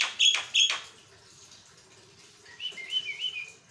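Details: Continuous Javan myna song meant to prompt other mynas to answer: two loud harsh chirps, a pause, then a soft series of wavering whistled notes.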